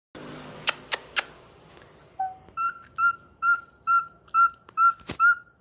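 A cockatiel whistles a string of short, clear, even notes, repeated about twice a second.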